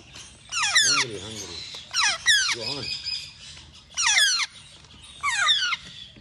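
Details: Baby African grey parrot: loud descending whistled squawks in bursts every second or so, some with a nasal wavering lower note beneath, separated by brief quieter pauses.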